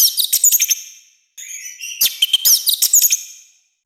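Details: Orange-headed thrush in loud, harsh song used to train and provoke other birds: two bursts of rapid high chirps and sharp whistled notes separated by a brief silence.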